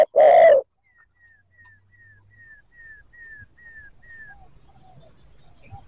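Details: Single loud, low coo of a spotted dove calling to lure wild birds. A faint series of about ten thin, high, descending whistled notes follows in the background.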